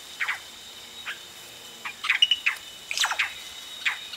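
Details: Yellow-rumped cacique chicks calling close up as adults arrive at the nest: short scattered high squeaky notes, some in quick clusters of three or four, separated by quiet gaps.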